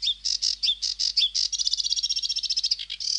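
A sedge warbler sings a fast, scratchy chatter of harsh buzzy notes. It breaks into a rapid rattling trill, then returns to grating phrases.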